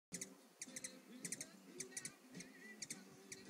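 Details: Hummingbird drinking and singing on a backyard patio: sharp, high ticking chips, singly and in quick pairs or triplets at irregular intervals, over a steady low hum.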